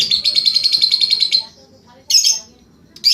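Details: Lovebird singing in the Indonesian ngekek style: a long, rapid, high buzzy trill of evenly pulsed notes lasting about a second and a half, then a short harsh burst and another brief chirp.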